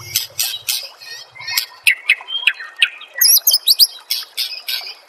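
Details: Song of a white-rumped shama used as a master recording for training caged birds: sharp clicks, short whistled slurs, and a rapid run of high rising notes, with a faint low hum at the start.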